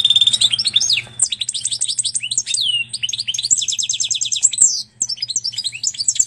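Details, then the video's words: Canary and Portuguese goldfinch hybrid singing at length: rapid strings of high, bright chirps and trills, with sweeping whistled slurs and fast repeated notes running almost continuously, a faint low hum underneath. "Pintagol de canaria x pintassilgo português canta muito!"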